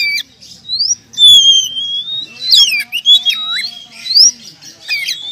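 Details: Prize-winning oriental magpie-robin, a champion contest singer, giving clear sweet whistles that slide up and down, a long falling whistle, then quick looping phrases and sharp clicks.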